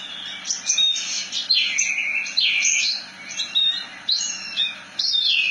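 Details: Javan bush lark singing a melodious ngerol nembak phrase: high chirps mixed with looping, down-slurred whistles in an almost unbroken stream.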